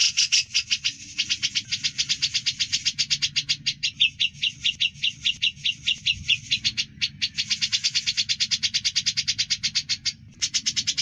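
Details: Grey-cheeked bulbul singing in the chattering 'ngebren' style, clear and long-lasting: a fast, steady run of sharp, high chirped notes with brief breaks, continuing throughout.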